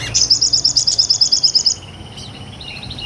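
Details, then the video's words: Sunbird song recorded for real, used for training other songbirds: a quick high trill of about fifteen evenly spaced notes over one and a half seconds, then a thin descending whistle and soft twitter. "MASTERAN SOGON NGOBRA"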